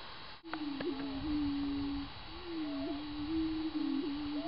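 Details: Greater prairie chicken booming in spring on the northern tallgrass prairie of Minnesota: a low, steady, hollow moaning tone held for nearly two seconds, a short break, then another long boom with small wavering bumps, over a faint background of distant calls.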